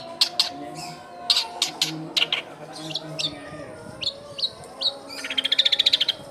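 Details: Long-tailed shrike singing, used as a lure to draw in wild young shrikes, recorded at a house in a dense neighbourhood: clusters of sharp high chirps and slurred whistles, ending in a fast rattling trill, with a constant low hum behind.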